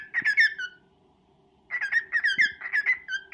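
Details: Courting male cockatiel singing to a female: a brief chirpy phrase, a pause of about a second, then a longer string of bright downslurred whistled chirps, with a low background hum.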